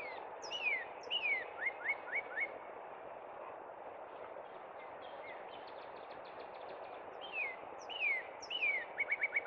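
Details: Northern cardinal at Cub Run in spring repeating its song: downslurred whistles leading into quick repeated notes, a quiet stretch, then more slurred whistles and a fast trill-like run, steady hissing noise throughout.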